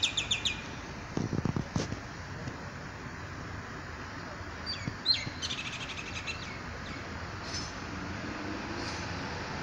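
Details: Birds singing in the morning: scattered high chirps and short trills come in bursts at the start and midway, separated by quieter gaps, over a constant background hiss with a few low thumps.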